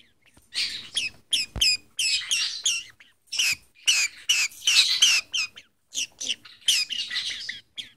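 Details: A concerned budgerigar gives rapid, scratchy chirps and warbled squawks in quick irregular bursts while a green-cheeked conure plays in its owner's shirt.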